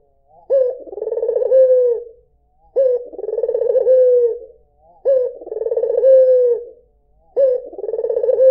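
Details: [['A white Barbary dove gives melodious coos, each a brief rising lead-in, a pulsing roll and a long, falling tail. Roughly every two and a quarter seconds, with silence between phrases.']]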